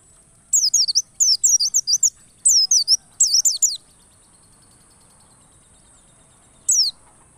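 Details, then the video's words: White-eye used as a lure recording to provoke a pet white-eye into full, insistent song: rapid, high, twittering phrases in four quick bursts, then a pause and one more brief burst, over a thin steady electronic whine. "pancingan pleci agar ngalas penuh emosi dan ngotot"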